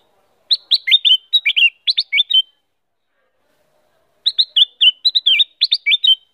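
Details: Female black-crested bulbul singing actively: two phrases of quick, sweet, warbling notes that jump up and down, each lasting about two seconds and separated by a short pause. The background is silent.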